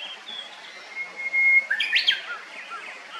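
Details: A Japanese bush warbler (Horornis diphone) gives its classic song: a long, steady, pure whistle that breaks into a quick, explosive, rising-and-falling flourish. Faint high chirps sound before and after.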